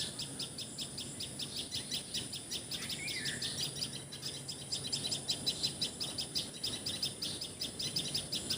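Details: Recorded in Assam, India, a common tailorbird calls with a brisk, repeated high chip, nearly three per second and slightly uneven, with one brief lower whistle from another bird.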